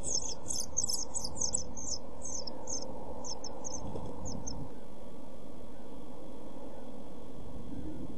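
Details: Seven-day-old European pied flycatcher chicks begging in a nest box, filmed on 23 June 2012: rapid high thin cheeping notes in bursts for about four seconds, then fading out, over steady low rumbling hum.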